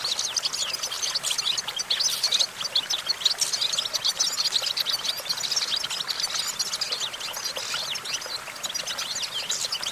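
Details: European goldfinch perched on a branch, singing a fast, scratchy twitter of high chirps and trills that runs on without pause, somewhat faint and diffuse against a steady hiss.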